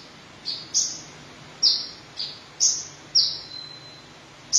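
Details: Red-breasted Van Hasselt's sunbird in lively song: six thin, piercing high notes, spaced unevenly with short pauses, each a quick downslurred squeak, one trailing into a faint sustained whine; quiet hiss behind.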